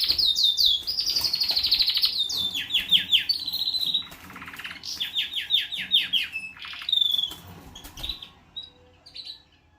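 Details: Canary, possibly mating or fighting, delivering fast high trills and rapid descending sweeps, strings of sharp buzzy notes and chattering runs, loud at first and then fading with pauses near the end.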